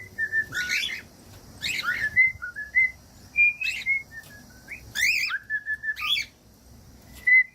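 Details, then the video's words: Short level and rising whistles from a cockatiel, broken by loud scratchy chirps about once a second, from a recording played to train pet cockatiels to sing. "15 MINUTOS DE CANTOS DE CALOPSITA"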